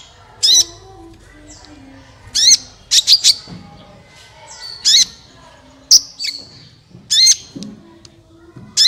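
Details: Sunbird song used as a lure to prompt other birds to sing: scattered sharp, high chirps and short trills in separate bursts roughly every one to two seconds, with pauses of faint background between them.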